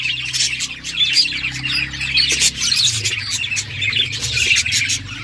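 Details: Chattering budgerigars at play, a constant flurry of thin, high chirps and warbled notes over a low droning hum.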